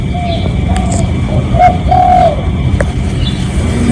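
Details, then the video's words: Genuine spotted dove recording used as a lure: a faint coo, then a short note and a longer hollow drawn-out coo near two seconds, with clicks and low rumbling behind. "เสียงนกเขาใหญ่ เสียงจริง ถ่ายจิง เอามาให้ฟังกันยาวๆ เสียงเป็นเสียงต่อ รับส่งได้เลย"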